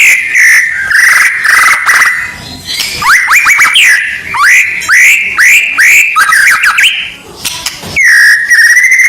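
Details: White-rumped shama, or murai batu, song meant to rouse contest birds before competition: sustained wavering whistles, then a rapid series of sharp upward-flicked notes, and a final steady whistle.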